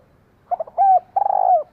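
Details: Female spotted dove calling to stimulate a male: a few short low coos followed by two longer mellow, slightly wavering coos, the last one trilled at its start, in a quiet setting.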